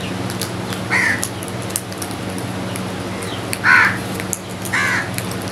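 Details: Crows eating together give three harsh, hoarse caws spread across a few seconds over a steady low background hum.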